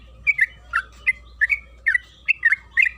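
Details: Yellow-vented bulbul singing, played as a lure to get the bird to sing: paired, slurred whistled chirps coming in short bursts with small gaps, over a low rumbling background hum.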